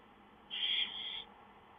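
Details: Songbirds recorded 5-9-2013 give one harsh, buzzy, noisy call lasting about three quarters of a second, high-pitched and flat, over a steady low background hiss.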